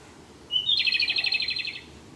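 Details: Japanese robin singing close by on its sixth and final day at a birding spot: a short high whistle, then a fast bubbling trill of beaded notes that runs for about a second and fades.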